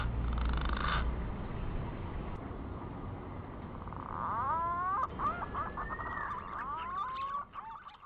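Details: Green pigeon, arboreal fruit-eater of the Greater Sunda islands, calling after a long lull: stepped rising whistles followed by softer, sliding and wavering whistled notes, over a low background hum.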